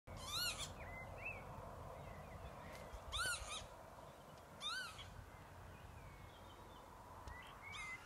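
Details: Northern lapwings at Lower Withington in the Cheshire countryside: three wheezy, slurred 'pee-wit' calls a second or two apart, with faint chirps from other birds over steady wind noise.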